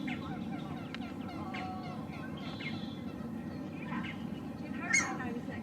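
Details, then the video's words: Male Green Heron calling while perched, recorded with a Lumix GH6 and 300 mm lens: one loud, harsh, abrupt call near the end, over a steady background of small birds chirping and twittering. "Green Heron Calling"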